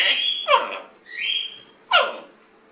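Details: Grey parrot (Psittacus erithacus) reciting the chant "Om Mani Padme Hum" in mimicry, with held, whistled tones and three sharp, breathy syllables in under three seconds, in a quiet room.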